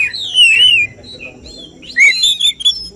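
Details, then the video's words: Oriental magpie-robin song at a songbird competition where judges pick winners: a long sweeping whistle rising and dipping, a short pause, then a quick burst of bright warbled notes. "Suara tembakan Kacer yang diincar juri saat lomba burung berkicau"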